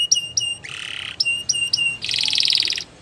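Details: Belgian canary in training song, alternating short high whistled notes with harsh buzzy rattles, a low burry tour near one second and a brighter rapid trill toward the end.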